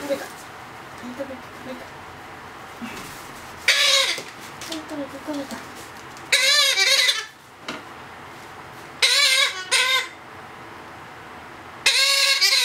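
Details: Two-month-old Blue-headed Parrot chick begging while hand-fed: soft low chirps and murmurs at first, then loud raspy paired squawks in four bursts roughly every two to three seconds, with a woman speaking Japanese.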